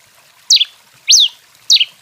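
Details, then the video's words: Rufous-collared sparrow (tico-tico) singing excitedly, giving three clear, high whistled notes, each sliding down in pitch, about half a second apart, with nothing else heard. "TICO TICO REI CANTANDO DEMAIS! CANTO 21"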